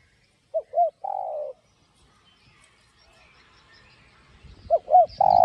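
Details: Spotted dove cooing in the 'giọng đồng' style, 'gáy thúc gù', aimed at rousing decoy doves. A two-note pickup and long coo sound near the start. A near-silent gap follows, then the same phrase begins again with some low thumping.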